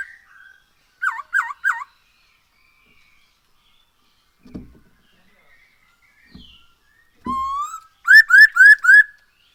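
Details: Lure song of the Black-throated laughingthrush: three looping whistles, a quiet stretch with faint low knocks, then a long rising whistle followed by four quick ringing notes.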